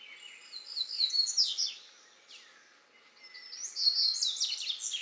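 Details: Singing male Double-collared seedeater eating grass seeds at Alto Caparaó, Minas Gerais, Brazil, January 2017, 09:14. Two fast, high, chattering phrases separated by a pause with a soft downslurred note; a Green-winged Saltator sings along in the background.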